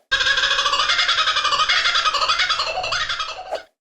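A kookaburra gives a loud, rollicking cackle of rapid, harsh hoots running together for over three seconds, like wild human laughter, then cuts off.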